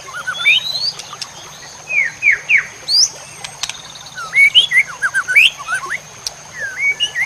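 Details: Songbird-training masteran of White-rumped shama song: sharp upward-sweeping whistles and brief warbled notes given in irregular bursts, some ringing high, over a faint constant high tone.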